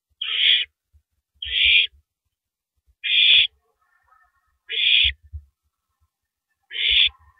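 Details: Recorded at 3:33 AM on April 9, 2012 on a live owl camera while the owl tears up and swallows a big rabbit: five harsh, breathy screeches spaced about one and a half seconds apart, with scattered low thumps.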